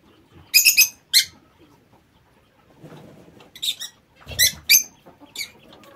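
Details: Lovebirds in an aviary giving sharp, squeaky, harsh shrieks in short clusters of two or three, with some low rustling and soft chatter in between.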